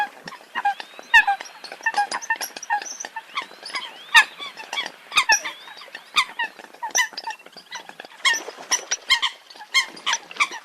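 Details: Many Eurasian coots calling together: quick, clipped honks and squeaky notes tumbling over one another in an unbroken murmur.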